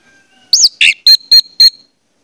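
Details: Short lure phrase from an orange-headed thrush meant to set other birds singing: a sweeping high slur, a harsher note, then three evenly spaced, clear, high whistles.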